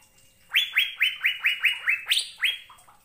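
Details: Asian fairy-bluebird song used as masteran to get kept birds singing: after a quiet start, roughly nine sharp rising whistles in quick succession, the seventh and eighth jumping higher, ending with a soft trailing note.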